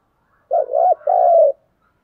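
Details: A spotted dove coos a fighting call, a single mellow phrase of two linked hooting notes followed by one long, even, slightly falling coo, clean against silence.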